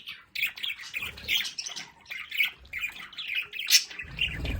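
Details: Home-kept budgerigars in their play area give a fast, scratchy warbling chatter of squeaky squawks and chirps, broken by one shrill peak. A low rustling noise rises at the end.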